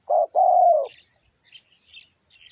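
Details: Spotted dove cooing on a lure recording: a short coo then a longer falling coo, followed by faint higher chirps of other small birds.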